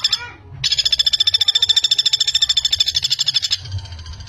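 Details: Common flameback, a fast tight-paced call for training young songbirds: after a brief faint sound, a three-second burst of rapid, evenly spaced high notes, then it stops abruptly.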